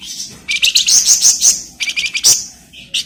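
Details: Loud flamboyan bird song meant for training magpie-robins, a fast string of piercing whistled and chirped notes in quick succession, ending with a sharp high note.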